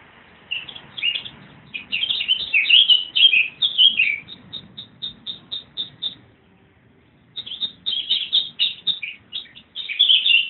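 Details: Wild birds singing at Easter 2014 in trees on railway land behind a house in Putney, bright chirping phrases mixed with a run of short, evenly spaced high notes, then a brief pause before the chattering song resumes.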